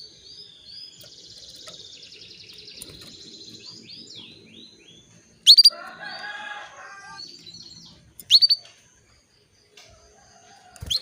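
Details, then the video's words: Female canary calling a male to bring him into breeding condition: thin whistled and chirping notes, then louder sharp rising chirps at intervals, with a brief harmonic-rich warbling phrase in the middle and low background rumble. "PANCINGAN KENARI BETINA MEMANGGIL JANTAN"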